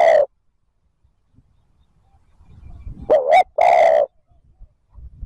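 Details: Spotted dove giving thúc gù coos to lure wild birds: a clipped coo at the start, a pause with soft low rumbling, then a hollow double coo, short then long.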